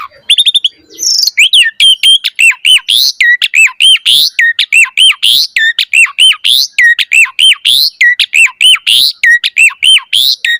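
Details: Javan pied starling in full gacor mompa song, rich with varied fill-ins, used to prompt and tutor young starlings. A rapid, steady series of loud, harsh looping squawk-whistles repeats almost without a break.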